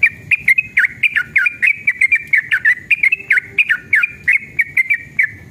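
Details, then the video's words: Yellow-vented bulbul pouring out a long, energetic rolling song used to coax other bulbuls to sing: densely packed bright whistled notes, many bending down then up, repeated rapidly and evenly throughout with little background sound. "trucukan gacor EMOSI ROPEL PANJANG pancingan trucukan agar bunyi"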